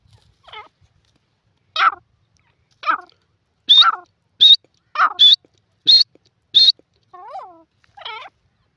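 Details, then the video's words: Grey francolin (teetar) calling: a series of loud, rising-and-falling squealing notes repeated roughly every second, some reaching high shrill whistles, ending with softer descending notes; otherwise quiet. "pheasant teeter ki boli gray francoline awaaz"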